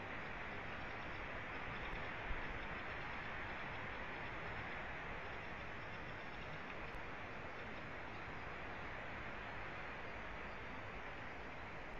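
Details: Steady, even broadband hiss with a low rumble fills the whole stretch, with no animal calls.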